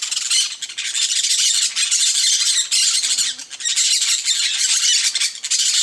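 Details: Continuous dense screeching of yellow-chevroned parakeets on a coconut palm, many harsh overlapping high calls forming an unbroken noisy chorus with brief dips.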